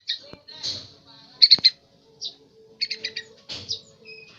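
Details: Young yellow-vented bulbul learning to sing: short bright chirps and quick clusters of three to four high, slightly buzzy notes, separated by pauses, with a few faint clicks and a soft low hum.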